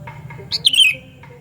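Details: Sooty-headed bulbul lure call, loud and shrill: one brief chirp then a downward-gliding whistled note, with faint chirps from other birds and a low hum behind.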